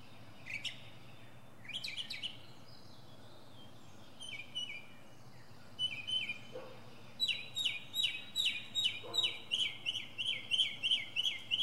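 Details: From the top of a pine tree, a northern mockingbird shifts through different sounds. Scattered chirpy phrases give way to a fast, even series of buzzy repeated notes, about three per second, that grows louder.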